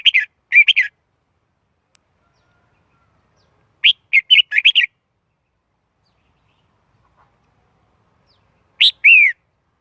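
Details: Red-whiskered bulbul song in three separate bursts of lively, chirpy warbling, each a cluster of rapid rising and falling notes, spaced several seconds apart with silence between; background otherwise quiet.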